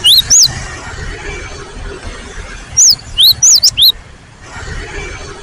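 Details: Cinereous tit (gelatik batu) singing a brief opening pair of high whistled notes, then after a gap a quick cluster of four twisting, rising-falling whistles, with quiet background hiss.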